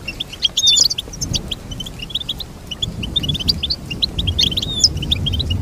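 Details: Goldfinch song with rapid bright twitters and chirps, including a few thin drawn-out whistled notes, over a continuous low rumbling background.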